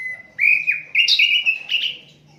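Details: Asian brown flycatcher song, unedited, used as a tutor recording for songbirds: a thin steady whistle, then a run of buzzy rising and falling notes that climb higher and end in sharp chips.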